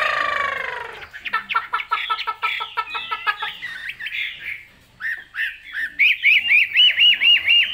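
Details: Caged Chinese hwamei singing in Vietnamese 'cao cầu' style: opens after a harmonic squawk, then rapid staccato notes, building into loud repeated whistled phrases, each an upswept loop, about three per second.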